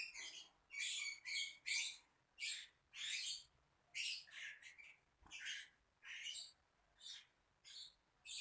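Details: Lovebird calling with harsh, high squeaky chirps in clusters, roughly one burst every half second, over a low background hiss.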